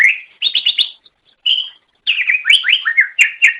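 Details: Greater green leafbird, recorded as masteran for caged songbirds: a whistle, a fast burst of repeated chips, a clear steady note, then a tumbling series of loud slurred whistles.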